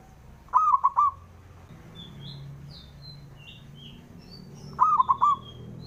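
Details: Rival-provoking call of a local male zebra dove: a pair of quick three-note cooing phrases about 4.3 seconds apart, notes mellow and gently bent, with light high chirps of other birds in the gap.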